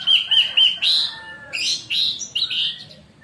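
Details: Orange-headed thrush, kept caged, in a morning training recording used to coax silent birds to sing: a rapid run of clear whistled notes, then loud varied warbled and rising phrases in bursts.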